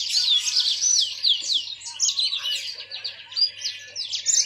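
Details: A yellow-fronted canary pours out bright, high twittering song: rapid chirps, slurred whistles and short trills run together without pause over a faint low hum.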